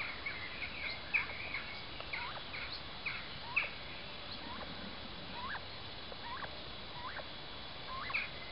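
Great argus giving a string of loud, rising, hooked wow notes, roughly one or two a second, over steady background hiss with faint overlapping calls.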